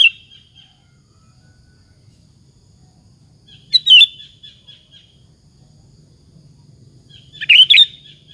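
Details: Sooty-headed bulbul (kutilang) singing as a lure to provoke other bulbuls to answer; short loud bubbly phrases with a brief whistled note trailing off, repeated roughly every four seconds over a low background rumble.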